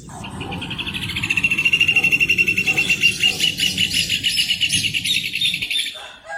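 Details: Rufous hornero delivering a long rapid trill of sharp, ringing notes that builds in loudness, stays steady, then fades out near the end, over a soft low background hum.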